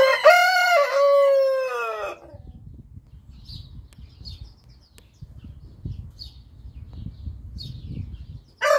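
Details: A rooster, Orpington or Marans breed, gives one long, hoarse crow lasting about two seconds, with a low background rumble and faint high chirps; another crow starts at the very end.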